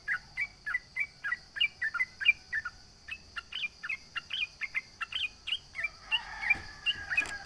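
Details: Sooty-headed bulbul in vigorous rival-taunting song: a steady stream of sharp flicked chirps about three per second, ending in a burst of busier, overlapping warbled notes, all above a constant high hum.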